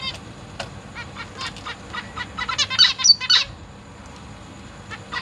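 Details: Zebra finch chicks and juveniles in a large cage being fed by their parents, August 2023; a loose series of short nasal chirps, about four per second, rising to a louder cluster midway, then fading.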